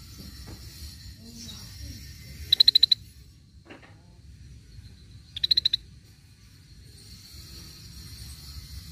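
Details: Scaly-breasted bulbul used as a lure: two short bursts of rapid high notes about three seconds apart, with a faint lower note between and low background noise.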